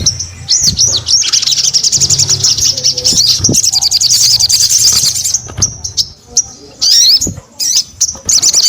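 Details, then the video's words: Crested Jay singing energetically: a long, dense, high rattling trill with looped whistles, then broken bursts of sharp chips and brief pauses. "SUARA SOGON GACOR"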